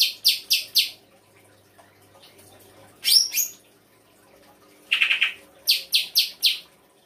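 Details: Songbird performing a full 'isian' song: rapid triplets of bright high notes, a sharp slurred double note, a buzzy lower trill, then another quick run of four high notes.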